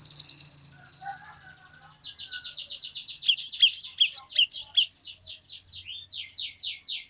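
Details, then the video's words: Glatik batu, or cinereous tit, in long 'wucit wucit' song: after a brief buzzy burst and soft chatter, a sustained series of high, rapid, rising whistled notes continues for five seconds. "Glatik Batu Gacor Glatik Batu Bahan Auto Ngeplong Wucit Wucit Panjang"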